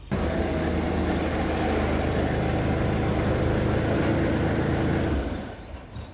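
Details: A heavy diesel engine rumbles steadily for about five seconds before cutting out, with no animal sounds.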